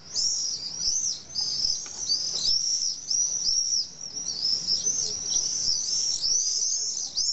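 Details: A chorus of common swifts at their retaining-wall colony on a hill in Nice, France, where parents still sleep in the cavities in mid-July. Continuous shrill, high screams come from several birds, steady and overlapping.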